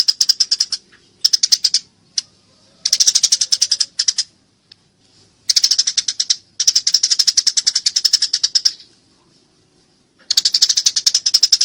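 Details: Eurasian tree sparrow fighting, captured clearly as training audio for songbirds: repeated bursts of rapid, scratchy high chirps, some runs lasting two seconds, with scattered single notes and pauses between.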